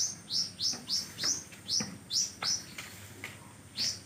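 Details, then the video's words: Magpie-robin in full song, its song filled with imitations: a rapid series of sharp, high, down-slurred whistles repeated about three times a second, then a pause before a final note, with constant background hiss. "konin gacor isian kapas tembak!!!"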